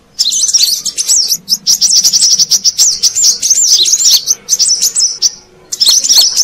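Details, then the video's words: Brown-throated sunbird calling for luring wild birds: thin, fast twittering and sharp chips in a steady stream, stopping briefly near the end before a final burst. "Suara Pikat Burung Kolibri Kelapa Manggar"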